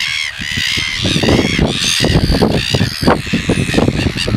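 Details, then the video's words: A pair of red-billed gulls attempting to mate, the male sitting on the female's back, at Pukekura, Taiaroa Head, Otago Peninsula: harsh, nasal, overlapping squawks in rapid succession over low wind or surf rumble. "Red-billed Gulls - Mating"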